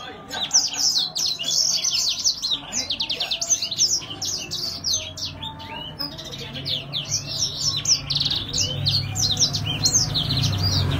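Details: Grey singing finch in full, lively gacor song: a long, dense run of high twittering notes and quick buzzy trills at about three per second, uneven in rhythm, with low hum in the background.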